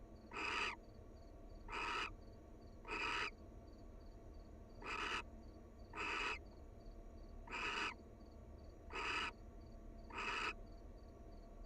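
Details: Harsh, noisy barn owl hisses from a wild pair bonding at their nest, short bursts spaced one to one and a half seconds apart, eight in sequence, over a faint repeating high tone.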